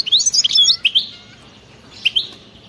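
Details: Brief bout of wild European goldfinch 'batbata' song: a few sharp rising twitters and slurred whistles, a pause, then two more quick chirps.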